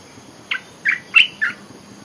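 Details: Olive-winged bulbul lure song: a short phrase of four clear, chirpy notes rising and falling in pitch, evenly spaced over about one second.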